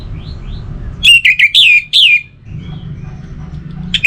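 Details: Caged orange-headed thrush sings a quick phrase of loud, slurred whistles, several notes sweeping down in pitch, with faint soft chirps before and a low hum throughout.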